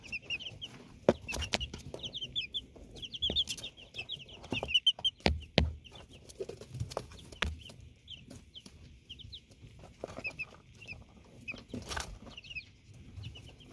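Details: Canadian chicks peep in bursts of brief high cheeps, spread across the recording with quieter gaps, while sharp knocks and scratching sounds come in between.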